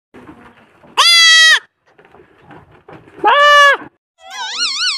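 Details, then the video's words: A pet parrot imitating a young goat kid: two loud, nasal bleats with rich harmonics about two seconds apart, then a wavering, quavering bleat-like note, with faint rustling between. "goat's kid sound Parrot voice"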